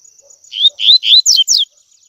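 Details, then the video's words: Double-collared seedeater in the tui tui style meant for training young males: a phrase of three rising clear whistles followed by three brisk descending notes, lasting about a second. "ENCARTE COLEIRO TUI TUI P/TREINAR PARDINHO A CANTAR TUI TUI"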